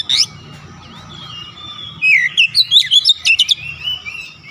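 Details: Oriental magpie-robin's insistent song with learned fill-in notes: a brief sharp note, a soft drawn-out whistle, then a quick chattering series of clear whistles and ticks, with a steady low hum in the background.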